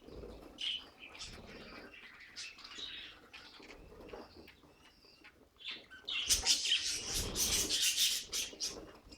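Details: Budgies kept as pets giving scattered high chirps and soft warbles, then a loud flurry of sharp twittering mixed with fluttering wing noise toward the end.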